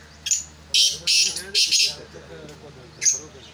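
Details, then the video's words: Black francolin, being prepared for chakri, makes a clipped note and then three grating hissy bursts. After a pause come one more sharp note and a cut-off burst, with a man murmuring behind. "کالے تیتر کو چکری کے لیے تیار کیا جارہاہے"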